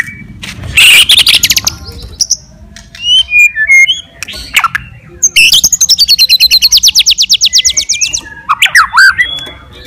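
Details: A white-rumped shama sings aggressively to rouse rival shamas. A harsh buzzy burst is followed by clear whistles, then a long, fast, rattling trill and a final rich warble.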